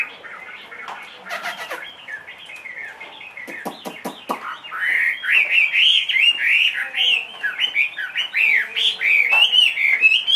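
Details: Two-and-a-half-year-old caged Chinese hwamei, a big bird said to sing anywhere, starting with scattered clicks and soft notes, then bursting into loud, rich, rapidly varied whistled phrases that rise and fall continuously.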